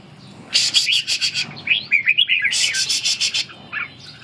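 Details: Red-whiskered bulbul in ché song training: short warbled whistles between two loud bursts of rapid, harsh, rattling clicks.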